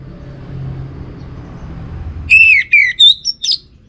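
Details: Orange-headed thrush lure song: after two seconds of low background rumble, a quick run of five bright whistled notes, rising and falling, each sharply separated.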